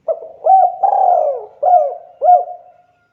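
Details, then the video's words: Spotted dove calling: one phrase of mellow low coos, short clipped notes around a longer descending drawn-out coo, ending in a fading note. "SUARA BURUNG DERKUKU TEKUKUR GACOR"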